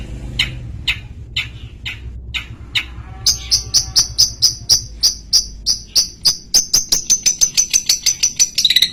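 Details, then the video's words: Long-tailed shrike singing loudly at close range: a few spaced, sharp clicking notes, then a fast run of high, piercing chips that speeds up steadily toward the end, over a faint low hum. "CENDET PL PASTOL ASEK KICAUANNYA MANTAB."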